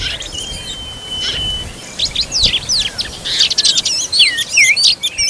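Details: Oriental magpie-robin at the nest feeding young: a long steady thin whistle opens, then a crowded flurry of high chirps and looping notes builds toward the end.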